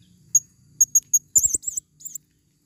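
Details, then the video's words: Four high, thin chip notes from a female blue-crowned hanging parrot used as a lure in the forest, followed by a quick run of shrill, wavering twitters. "Serindit Suara paling banyak...!!"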